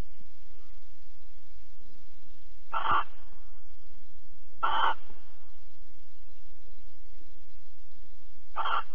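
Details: Barn owl in Alphen, 22 April 2020, 21:37, while mating and cuddling: three clipped, harsh hisses spaced about two seconds apart after a quiet opening, with a faint steady hum throughout.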